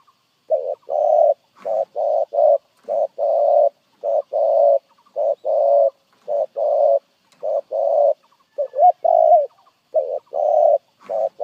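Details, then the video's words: Spotted dove giving its 'gù' coo, a steady run of short and long mellow, hollow notes, paired and repeated nearly without pause for over ten seconds. The background is quiet. "Tiếng chim cu gáy có giọng gù hay nhất"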